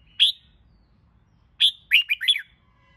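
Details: Red-whiskered bulbul singing for competition training: a single bright, sharp note, a short gap, then a sharp note running into a quick bubbling phrase of three or four slurred whistles.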